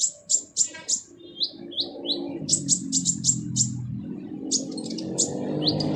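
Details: Sunbird known locally as kolibri ninja giving its harsh song, recorded as training material for other cage birds: rapid run of sharp, high chips and short descending slurred notes over a steady low rumble.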